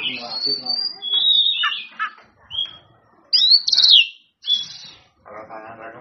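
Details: Oriental magpie-robin singing to call out rivals: long whistled notes and sliding slurs, loud sharp bursts after a pause, ending with a low rough buzzing sound.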